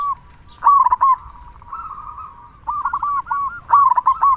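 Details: Zebra dove, local type, singing to spur other doves into song; loud stuttering bursts of rounded rolling coos separated by soft purring stretches, three main phrases in quick succession.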